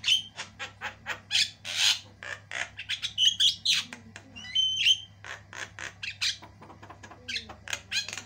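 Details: Javan myna of the white-eyed form, singing hard in a tutor recording for training songbirds with varied, long-running song: rapid harsh squawks and chattering notes interspersed with clear high whistles, near-continuous over a faint low hum.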